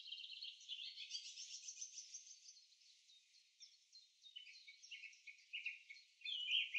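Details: A young Barred Owl, an owlet from a backyard nesting box in April 2024, gives soft, raspy hissing screeches, drawn out and repeated, with quieter chirping or rustling between them.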